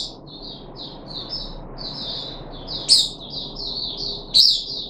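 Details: Caged puff-backed bulbul on its third day of deworming treatment, 14 July 2021: a steady run of short, high, slurred notes at roughly forty per minute, with two sharper, louder accented notes near the end; faint background hum.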